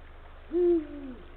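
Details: Deep single hoot of a male Eurasian eagle-owl calling to the female at the nesting area, 17 February 2023, late afternoon; strong steady tone dropping slightly toward its end, with quiet background hum.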